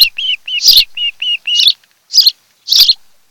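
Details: Osprey at a nest on Kent Island, Maryland, 26 July 2018 in the early afternoon, giving a run of short, high whistled chirps, several quick clear notes followed by three harsher, squealing bursts about half a second apart.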